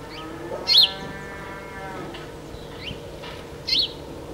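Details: A Eurasian jay at a wild bird feeder in central France, Nouvelle-Aquitaine, on 8 January 2017, gives two harsh, rasping screeches about three seconds apart over a faint low lowing, perhaps a cow.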